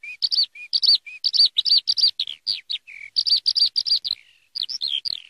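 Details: Lively, high twittering song of a Eurasian skylark, clusters of rapid chirping notes broken by short low whistles and a couple of brief pauses.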